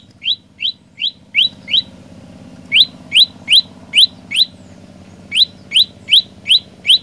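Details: Olive-backed tailorbird in vigorous song, rising chirps delivered in bursts of about five notes at three per second, separated by short pauses of a second or so. A faint low hum continues.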